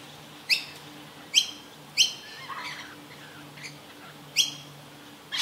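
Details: Feeding Rainbow Lorikeet in Australia, calling ceaselessly: sharp, high, downward-sliding chips repeated roughly once a second, over a faint low hum.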